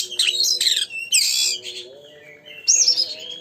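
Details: Oriental magpie-robin (kacer) singing energetically, meant to rouse another bird into song. Dense scratchy, buzzy phrases mix with short descending whistles and a final bright slurred whistle, over a low steady hum.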